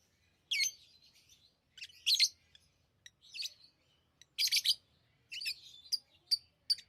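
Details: Tame lovebirds giving chirping sounds: scattered shrill, scratchy chirps, some in quick doubled bursts, with quieter twittering between and pauses of up to a second.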